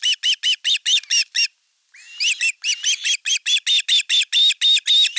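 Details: Fish delivery at an osprey nest in Western Finland, 5 August 2024, with the older chick attacking the younger: steady trains of shrill whistled yelps, a brief gap and a rising squeal, then evenly repeated piping notes.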